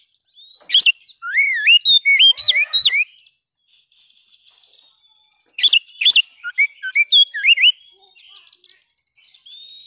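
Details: Song of an Oriental magpie-robin, played to restore the singing of kept birds: bursts of rich, slurred whistles mixed with crisp chirps, two main phrase groups separated by a soft pause, with faint high trills behind.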